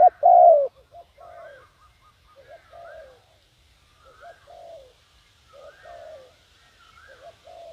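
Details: Spotted dove decoy calling to lure wild birds. One loud mellow coo opens the sequence, followed by a run of quieter, softer coo phrases repeated at intervals of about one second.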